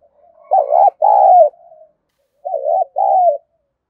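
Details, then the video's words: For training decoy birds, a spotted dove coos thúc gù and gáy: a loud short-long coo pair, a faint trailing murmur, then a softer repeat of the pair. "Thúc Gù + gáy Gọi đủ bài bổi nghe nhạy gáy tập mồi hiệu quả"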